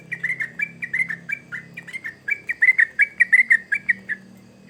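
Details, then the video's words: Sooty-headed bulbul song used as a lure for young birds: a long chattering stream of rich, slurred whistles in uneven clusters over a low background hum. "Trucukan Gacor ngamuk Pancingan Terbaik Untuk Burung Paud"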